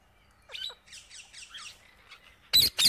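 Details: Wild parrot feeding on seeds, uttering a short burst of rough chattering squawks, then a pause, then two loud sharp crackles at the end.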